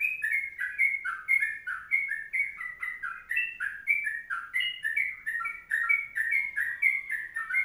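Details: Sooty-headed bulbul singing a long kongslet-style song, used as a tutor recording: continuous bubbly two-note whistled phrases, each dipping then rising, repeated about every half second, with faint high ticking above.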